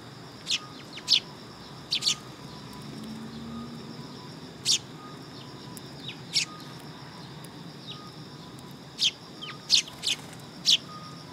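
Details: Several sparrows gathering on a perch platform at a Tenmangu shrine, 3 September 2022; short bright chirps come singly or in pairs at irregular gaps, with a faint steady low hum behind.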